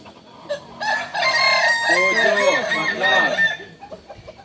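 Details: Singing Kukuak Balenggek chicken from Solok giving one sustained crow of about two and a half seconds, rich and layered, with bouncing arched notes near its end before fading to quiet.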